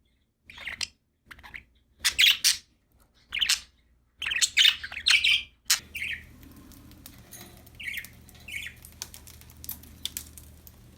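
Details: Happy budgerigars chirping, several short bright bursts in the first six seconds, then softer scattered chirps over a low background hum.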